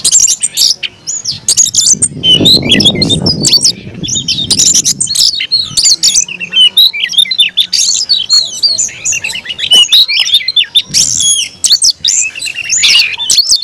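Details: Long bout of aggressive fighting song by a caged Oriental magpie-robin: relentless high whistles, rapid trills and harsh chatter, with a brief low rumbling noise early on.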